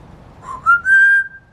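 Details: Bird-sound mimicry by an African grey parrot. A clear, loud whistle climbs, then holds a steady pure tone for about half a second before ending abruptly, indoors.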